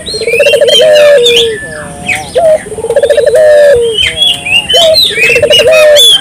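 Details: Chatty turtle dove, its calls meant to set local doves calling: deep trilled coos with long drawn endings come back-to-back about every two seconds, under constant high chirping and whistling from other birds.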